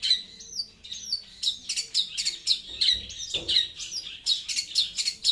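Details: A long-tailed shrike sings loudly and clearly in a rapid, chattering stream. Buzzy rasps alternate with bright whistled and slurred notes in quick pulses. There is a brief soft rustle near the middle.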